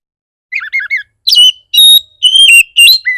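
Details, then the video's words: Aggressive Oriental magpie-robin song played to trigger other magpie-robins. Soft, quick warbled notes open the phrase, followed by louder piercing whistles, some held level and some dipping, roughly two per second. "Pancingan burung kacer bar bar naik pitam kacer lain"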